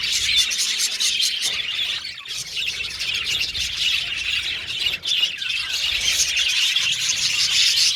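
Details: Budgerigars kept in a cage colony sing and chirp; busy overlapping chatter of high, scratchy warbles and squawky notes, briefly dipping around the middle before the flock noise resumes.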